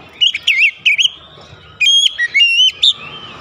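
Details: Oriental magpie-robin singing aggressively after provocation: quick wavering whistled phrases, a brief pause, then a run of sharp rising notes.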